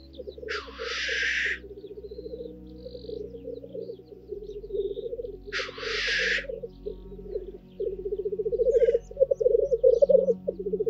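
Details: Male black grouse displaying at a lek in the Scottish Highlands, early morning, where males fight for the females' attention. A steady low bubbling, rolling coo runs throughout, broken twice by sharp hissing sneeze-like bursts. Several birds overlap.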